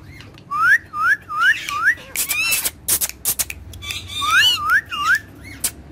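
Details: Two pet ringneck parrots, dancing and talking: loud, clear whistled notes each swooping upward, repeated in quick runs, broken by harsh noisy squawks, with a person's voice nearby.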